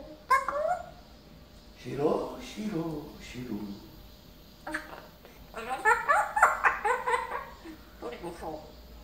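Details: Talkative pet parrot in a small indoor room, shown after a perch change, produces bursts of chattering speech-like syllables, some low and rasping, others higher and warbled, separated by short pauses.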